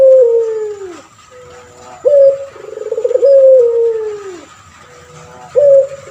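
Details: Two complete phrases from an actively singing caged male puter pelung turtle dove, used to teach other birds: each a long, low tone gliding downward, a short pause, then a sharp restart into a quivering roll.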